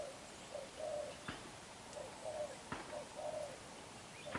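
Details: Spotted dove, a young wild-caught bird with black eyes, giving strong cooing: soft, throaty coo pairs rising and falling, repeated about every second, with several sharp knocks in between.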